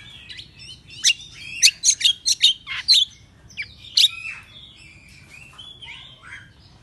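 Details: Excited Oriental magpie-robin in morning song, tail opened: a rapid series of loud, harsh, clipped high notes at the start, then softer whistled and slurred phrases trailing off.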